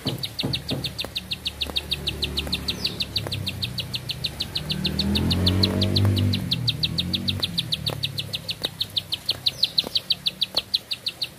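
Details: ['A bar-winged prinia keeps up one long, unbroken song of rapid high notes, about six per second, while a low rumbling engine-like noise swells and fades midway.']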